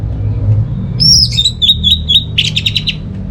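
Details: Orange-headed thrush song meant to prompt non-singing birds at home: one phrase of a bright high whistle, several crisp repeated notes, then a rough buzzing trill, with a steady low rumble underneath.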